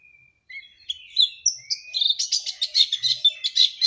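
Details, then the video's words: Oriental white-eye warming up into lively song: a few thin drawn-out whistles at first, then a quickening stream of high, scratchy chirps and trilled notes packed close together toward the end. "Burung Pleci OTW Gacor!"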